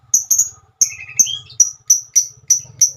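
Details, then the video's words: Female lovebird calling: a steady series of short, sharp high chirps roughly every third of a second, with a brief lower chattering phrase between them. "Kicauan burung Lovebird"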